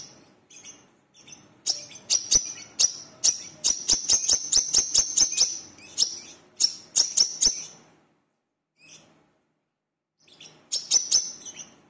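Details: Brown-throated sunbird lure song, the bird locally called wiceh or manggar and singing vigorously: long series of piercing high chips with a ringing tone, several per second, a pause, then another burst.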